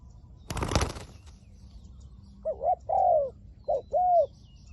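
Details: Spotted dove kept as a decoy for luring wild doves, opening with a loud burst of wing flapping, then two coo phrases, each a brief wavering note and a sustained slurred coo.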